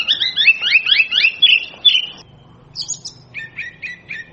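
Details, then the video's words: Oriental magpie-robin song opening with a fast run of rising whistled notes, about six in quick succession, then a pause, a high thin phrase and several short, lower, repeated chirps. "เสียงนกกางเขนบ้าน Oriental magpie robin sounds"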